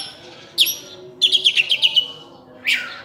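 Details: Oriental magpie-robin singing actively in full-isian style, a song packed with learned phrases, locally called cincim pala: a short high note, then a rapid series of six bright chirps, and a final sliding whistle after a pause.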